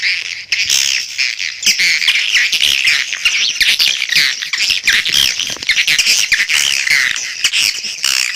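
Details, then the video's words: Swiftlet lure calls: a steady, busy chorus of shrill, rasping twitters and squeaks from many birds, continuous throughout with almost no pauses. "SUARA PANGGIL BURUNG WALET"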